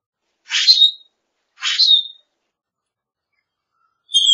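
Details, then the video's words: Common grackle repeating a harsh, squeaky, rising song burst twice, about a second apart, then a thin high whistled note. "Common Grackle Song! Common Grackle call!"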